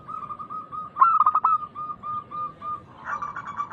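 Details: Local zebra dove singing loud and big as a lure to set other doves off: a single rolled burst of quick pulsed coos, then a long series of gentle, regularly spaced coo notes, with a fuller trill rising near the end.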